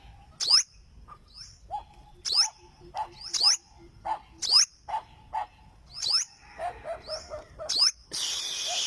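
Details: Olive-backed sunbird singing a lively run of high sharp slurred notes and lower repeated chips, ending abruptly in a burst of broad hissing noise.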